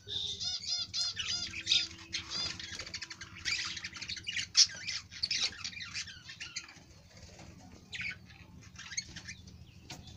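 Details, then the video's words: Budgerigar chattering with squawky, nasal and harsh notes and fast scratchy trills, fading in the second half, over a steady low hum and a faint tone. "Budgerigar bird part"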